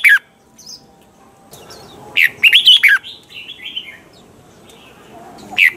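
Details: Double-note song of a caged red-whiskered bulbul, a mature wild-style song used as a lure for training: one bright phrase of fast slurred whistles midway, softer warbling after, and a short note at each end.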